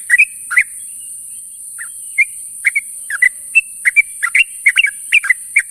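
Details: In the morning a sooty-headed bulbul calls to its companions, giving scattered then tightly spaced bubbly, slurred notes that build toward the end, over a constant high-pitched hiss.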